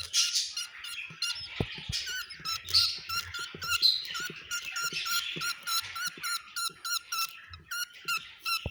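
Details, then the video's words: Pet budgerigars around an egg hatching: a dense run of sharp, squawky chirps and chatter, many short notes repeated rapidly and layered over one another, with a steady high hum beneath and occasional soft knocks indoors. "budgie egg hatching video"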